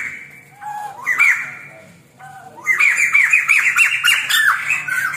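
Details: White-crested laughingthrush in a tutor recording for songbird training: a loud, harsh, squawking chatter of rapid harmonic notes, a short burst, a pause, then a longer rising and falling rush of laughing syllables.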